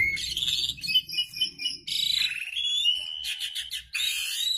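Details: Asian pied starling calls used for pairing birds: dense, harsh, buzzy bursts with scratchy chatter and brief whistled notes, pausing and restarting, over a faint low rumble.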